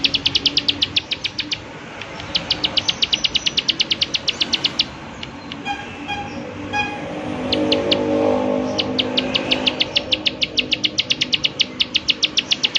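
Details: Several runs of the prinia's rapid 'klik klik' ticking, each lasting one to three seconds with short breaks. A softer stretch in the middle carries scattered notes and a low background murmur before the fast clicking resumes.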